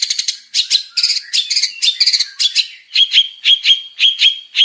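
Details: Singing male long-tailed shrike with many variations: scratchy, mixed twittering notes that give way to a clear, high whistle repeated about twice per second, each whistle with a short rough edge.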